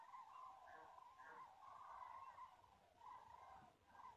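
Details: Migrating common cranes in Europe during September 2016, captured with a mobile phone: a far-off flock's rolling bugled calls blend into a wavering, almost unbroken chorus over low background rumble.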